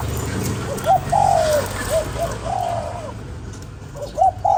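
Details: Spotted dove calling to stimulate a lure bird: low, soft cooing in short groups, a brief note followed by a longer slurred coo, repeated with pauses, over a steady low rumble.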